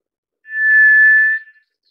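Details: White's thrush (Zoothera aurea), also called tiger thrush: a single long, steady, pure whistle held on one even pitch for almost a second, then cut off cleanly, with silence around it.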